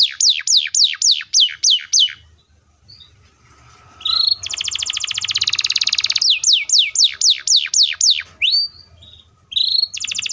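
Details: Canary singing a string of descending whistled sweeps, then a long dense rapid roll lasting about two seconds, followed by more sweeps and a few rising notes.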